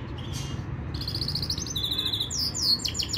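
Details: Yorkshire canary song used for training: after a faint opening note, clear high whistled tours and fast trills build up, ending in quick descending sweeps, with a low rumble beneath.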